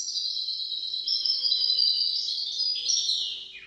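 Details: Maestro goldfinch-canary hybrid singing, recorded to teach goldfinches and canaries to sing: a sustained, high, buzzing trill held steady for several seconds, shifting slightly upward, then dropping away at the end.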